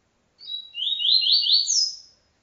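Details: Song-tutoring recording of a double-collared seedeater in the TuiTui style: a brief high introductory note, then four repeated rising buzzy slurs ending in a bright high whistle, clean and quiet around it.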